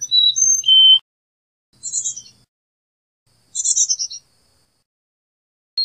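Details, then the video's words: Carolina chickadee giving a short run of clear whistled notes at differing pitches, then two buzzy, rasping call bursts, with quiet gaps between them and a brief high whistle at the end. "Carolina Chickadee Song! Carolina Chickadee Call!"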